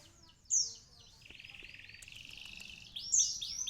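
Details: Konin sunbird with canary-style fill phrases: a sharp high chirp, then a long steady buzzy trill, ending with more sweeping high notes. Fairly quiet.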